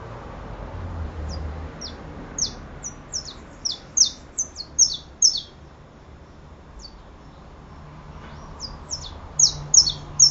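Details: Saffron finch singing: bursts of sharp, high downslurred chirps, irregular and spaced at first, then quicker clusters, over a quiet low background hum.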